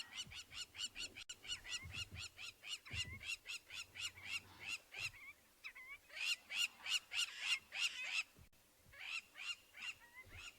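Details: Several lapwings, disturbed and probably with nests nearby, give loud, sharp, repeated alarm notes, about three each second, high and harsh, on a morning game drive in Ngala Private Game Reserve, South Africa, 25 April; low vehicle rumble underneath.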